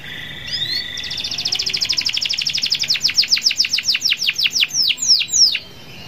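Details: Singing canary used to get other canaries to sing: an opening whistle, then a long fast trill of high notes that slows into wide downward-sweeping slurs, loud and clear.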